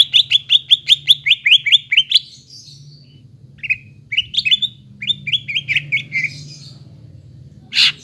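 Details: Greater green leafbird singing to stimulate a bird that has gone quiet. A quick run of bright, slurred chirps stops abruptly and then resumes in short, looser bursts, ending with one harsh burst of noise over a low background hum.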